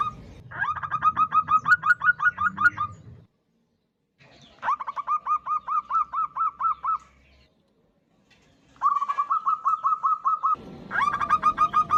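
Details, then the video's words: Female local zebra dove calling a male, a lure call: bursts of quick, even staccato coos, each run lasting two to three seconds and separated by short silences, with some low background rumble. "Suara Perkutut Betina Memanggil jantan AMPUH untuk Pancingan | Suara Perkutut betina lokal"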